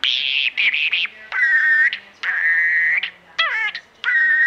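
A parakeet mimicking, with raspy, buzzy, speech-like chatter broken into short phrases and several steady whistled notes, some bending downward, over about four seconds.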